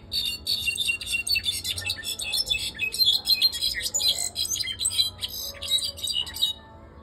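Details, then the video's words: A pet European goldfinch, 2024, sings a fast, continuous run of bright, tinkling twitters and buzzy trills for about six seconds, then falls silent. "Mi jilguero el pompeyo cantando!"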